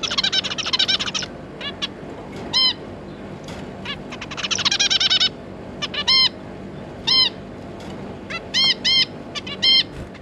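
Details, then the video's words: Zebra finch pair with their three juveniles: short nasal, toy-trumpet-like beeps, spaced irregularly, between two bursts of rapid, buzzy chattering from several birds. "Zebra Finch"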